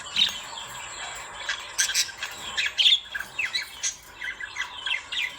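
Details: Several lovebirds calling at once: shrill squeaks and rasping squawks come in uneven bursts, with brief quieter gaps between the louder notes.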